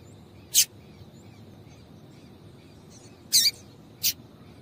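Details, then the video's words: Female double-collared seedeater piping meant to excite a male into song: three brief high-pitched chirps, one alone and then a quick pair near the end, against faint background noise. "Piado de Fêmea de Coleiro para Esquentar Coleiro"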